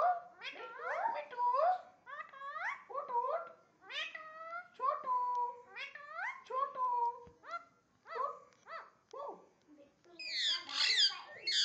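An Indian ringneck parakeet chatters in rapid, speech-like phrases with rising and falling tones, ending in a burst of harsh, bark-like mimicry.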